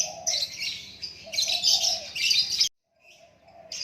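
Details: White-rumped shama, a murai batu, singing a dense run of bright whistled and chattering phrases, broken by a short silence, then the song resumes softly.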